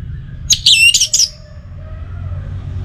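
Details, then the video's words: An orange-headed thrush (Geokichla citrina) gives one quick, high, sweet phrase of tumbling whistled notes lasting under a second, over a low background hum. "Memacu Burung ANIS MERAH dengan Suara Pacingan Agar Selalu Berkicau"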